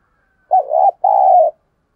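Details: Spotted dove serving as a decoy to lure wild doves utters two soft, warbling coos in quick succession, the second longer and level, with nothing else heard.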